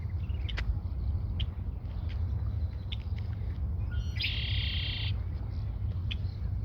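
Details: Red-winged blackbird singing close to the recordist at Montrose Point Bird Sanctuary: a few sharp, scattered chip notes, then one loud, dense buzzy trill of about a second, over a constant low rumble of wind or distant traffic.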